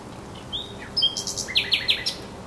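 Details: Thrush nightingale song recorded at the Żerań Canal, 24 April 2022: a short run of high whistled notes followed by a quick series of loud, sharp, repeated chirps over faint background noise.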